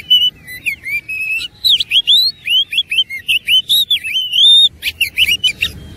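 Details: Persistent fighting song of an oriental magpie-robin with a luxurious mimicked fill-in: a continuous chain of loud, wavering whistles and quick chirps, ending in harsh buzzy notes.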